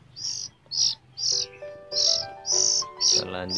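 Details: Oriental magpie-robin (Copsychus saularis), juvenile hand-reared bird in the morning, hungry and begging for food: harsh, hissy high bursts, about two each second, over soft background music; it falls silent once fed.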